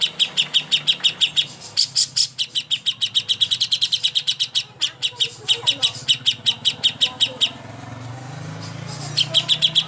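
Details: Greater green leafbird (cucak hijau) training song for bird contests: bursts of fast, sharp high chirps repeated several times a second, broken by short pauses, with a low rumble underneath near the end.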